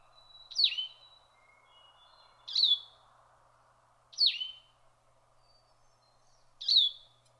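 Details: Blue-headed Vireo in northern Canadian woods in July, during fledgling season, gives four short, sweet slurred phrases, each dropping in pitch, about two seconds apart, over a steady low hum of insects or distant water.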